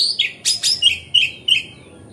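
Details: Relaxed, continuous magpie-robin song meant to make other magpie-robins fan their tails. Brisk sequence of sharp raspy bursts and short clear level whistles, about three notes a second, trailing off into quiet.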